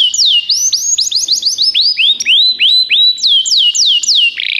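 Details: Belgian canary song of rapid curving whistles rising and falling in quick succession, ending in a brief rough burst.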